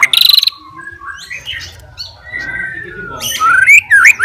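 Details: White-rumped shama, a fighter-type bird singing to challenge rivals, giving a varied run of whistles, buzzy bursts and sliding notes, loud at the start and end with quieter slurred phrases between.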